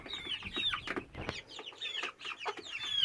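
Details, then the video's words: A 10-12 week old hen giving the constant call she began on 22 May 2017 while otherwise acting fine: loud clear whistled notes sliding downward, repeated in quick groups with short gaps. "10-12 week old hen making this sound"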